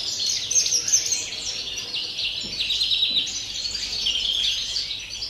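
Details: European greenfinch singing a pure wild-style song, recorded 30 December: continuous rapid twittering and trilled phrases, high-pitched, with short buzzy rolls, steady and unbroken over several seconds.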